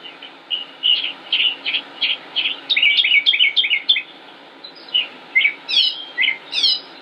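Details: A northern mockingbird at Concord, North Carolina, USA, 25 May 2016, sings on and on, a long, varied run of bright chirps and whistled phrases, each note type repeated a few times before switching, over a steady low hum.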